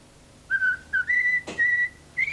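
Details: Tame common starling whistling La Marseillaise after its bath in its cage, 1989: clear pure whistled notes, short then sustained, rising slightly in pitch, with a brief click partway through.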